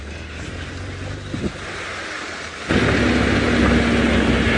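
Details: A vehicle engine rumbles and then revs louder partway through, and no animal calls are heard.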